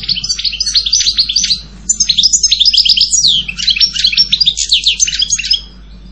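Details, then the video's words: European goldfinch singing a fast, continuous twittering song of bright tinkling notes and quick slurred trills, with a short pause midway before the rapid chattering resumes. "Canto jilguero Goldfinch song"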